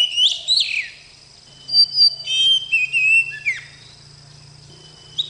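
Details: Oriental magpie-robin, or kacer, singing sweetly in short bursts: a couple of swooping whistles, a pause, then a cluster of clear whistled and slurred notes, over a steady low hum.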